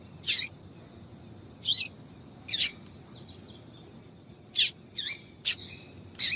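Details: Female yellow-bellied seedeater in a tui-tui call attracting males; high, brief chirps spaced about a second apart, then a quicker run of four notes near the end, over faint hiss.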